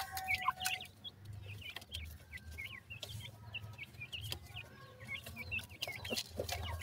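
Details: Grey francolin chicks for sale in Multan, Pakistan: a steady stream of high, down-and-up slurred peeps from several chicks, over a low rumbling background and occasional clicks.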